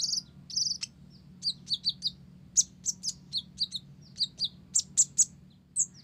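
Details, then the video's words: Lively song of an olive-backed sunbird, Blorok variety, tutored with Java sparrow phrases: dense series of high, piercing chirps and short trills, pairs and triplets of notes, in a continuous six-second burst over a quiet low hum. "Konin Blorok Gacor isian Gelatik"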